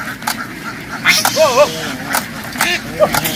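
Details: Farm ducks noisily leaving the water for a field give quick wavering nasal quacks in a few short bursts, with sharp clicks and splashing and a man's voice close by.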